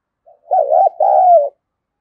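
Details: Spotted dove cooing to incite a rival: a faint pickup note, then a loud wavering coo and a longer smooth falling coo, together about one second, with silence around.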